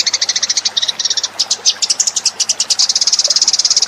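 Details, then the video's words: Eurasian tree sparrow lure call: short bursts of quick high chirps, then an unbroken, dense chattering run of sharp notes. "suara pikat burung gereja"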